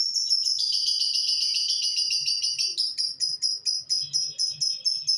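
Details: Lovebird singing a long, rapid, buzzy chatter of very high notes that slows into separate sharp chirps spaced about a third of a second apart, with a faint low rumble behind.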